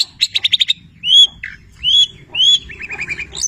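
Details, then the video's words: Cendet Petir, a long-tailed shrike, in song full of labet and canary imitations: an opening stuttered trill, three loud arching whistles, then a rapid dry rattle of short repeated notes ending on a high whistle. "Masteran Cendet Petir gacor, Full isian mewah Labet dan kenari"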